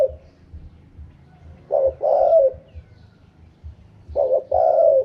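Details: Spotted dove sings in the wild 'karom pa' style, giving two phrases roughly two and a half seconds apart, each two short hoots then a longer falling coo, over a steady low background hum.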